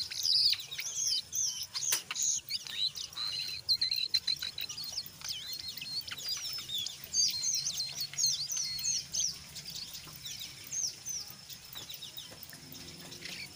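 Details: Brown jongkangan singing energetic ngeriwik song with ngeplong notes, used as a lure for untrained jongkangan: long run of fast, high, twittering chirps and squeaky whistles, loudest at the start and softening toward the end.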